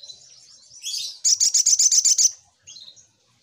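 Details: Spiderhunter lure call: a thin, high twitter, then a fast run of about nine sharp, piercing chips at roughly seven per second, ending in a softer note.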